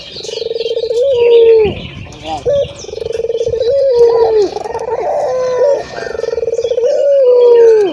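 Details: Local ringed turtle dove heard calling freely, played to stimulate other doves to coo: three long, low, mellow coos, each gently falling at the end and separated by short broken notes, with faint chirping and hiss higher up.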